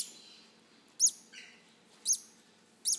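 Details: Baby green-cheeked conure chicks begging while being hand-fed: sharp, high chirps roughly once a second, with a softer, lower rasping note between two of them.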